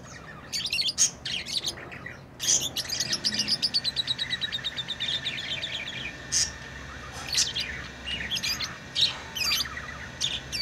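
Lovebirds chatter in shrill, high chirps, with a fast run of repeated squeaky notes midway and scattered sharp tweets after.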